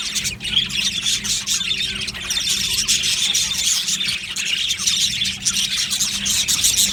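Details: Flock of aviary budgies chattering nonstop, layered high chirps and raspy squawks merging into an even, lively chorus over a soft low hum.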